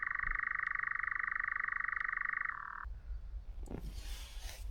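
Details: A European nightjar churrs on a warm summer night on Aegna island during an overnight camp: a steady, rapid mechanical churr for nearly three seconds, dropping briefly in pitch, then rustling and handling noise.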